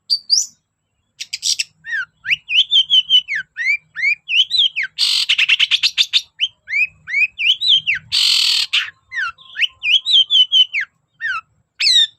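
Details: Long-tailed shrike in loud, persistent song, used to goad other shrikes into singing: repeated whistled upslurs and downslurs in fast sequence, broken by two harsh buzzy rasps.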